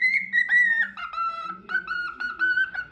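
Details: Cockatiel singing a continuous string of bright whistles, some level and some sliding down, joined into a lively three-second phrase.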